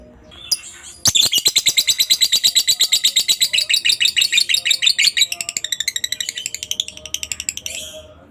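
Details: Lovebird singing ngekek and ngetik, recorded as a master for tutoring other lovebirds: after a short chirp, a fast buzzy chattering trill runs steadily for about seven seconds, its notes becoming more separated toward the end.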